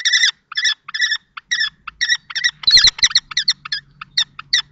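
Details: At a nest box in Théding, France, 20 March 2024, an adult male common kestrel confronts a younger juvenile-plumaged male; sharp, ringing repeated notes come in short bursts with gaps, and a brief scuffling clatter sounds midway.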